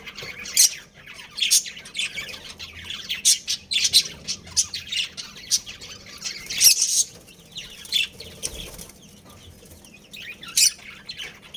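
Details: Budgerigars, a breeding pair kept as pets, chirping and squawking in bursts of harsh, scratchy high notes, with brief loud peaks near the start and middle and quieter chatter between.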